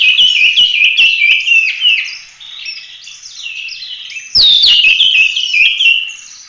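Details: Continuous 'tembak' song of an Oriental magpie-robin, used as a training master for other birds: rapid, rich whistled phrases with dry clicks, quieter rambling in the middle, then a loud burst of swooping notes.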